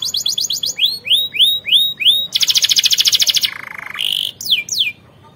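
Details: Canary singing for training other birds: quick high chips, a series of down-slurred whistles, an intense buzzing high trill, a lower rolling rattle, a brief tone and two falling swoops.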